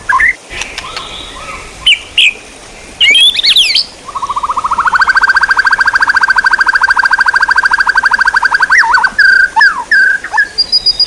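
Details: Song material for training competition birds: a few scratchy notes, then a long, steady, rapid trill held for about five seconds, followed by short repeated chirps.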